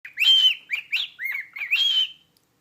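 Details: Pet cockatiel singing "Jingle Bells" to its owner: a short run of clear whistled notes around a steady high pitch, some arched and sliding, with one long held note near the end.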